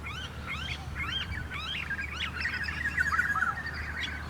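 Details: Miner (manorina) on a suburban street in Moorooka, Australia, giving a subtle, pretty morning call, a soft, sweet series of quick rising-and-falling chirps, warbling together near the end, with low background hum.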